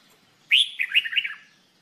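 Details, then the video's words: Red-whiskered bulbul singing as part of its training: a single clear phrase starting with a bright upslurred whistle and running into a bubbling string of quick, melodious notes, with faint hiss behind. "Red Whikered Bulbul Jambul bulbul SINGING training"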